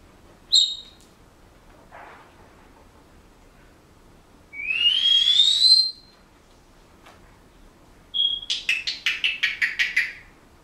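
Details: Pet Senegal parrot whistling a few bars of a song it is learning: a brief high note, a long smoothly rising whistle, then a quick run of about eight clipped, pulsing notes.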